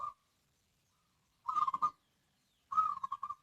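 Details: Zebra dove giving two quiet, soft trilled cooing phrases, each a quick series of mellow stuttering notes lasting about half a second, separated by silence.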